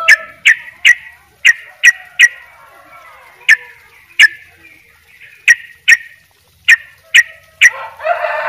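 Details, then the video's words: Yellow-vented bulbul giving spaced sharp chirps in loose clusters, with quieter warbling between and a burst of rougher sound at the end. "trycuk bali dobel ropell gacor"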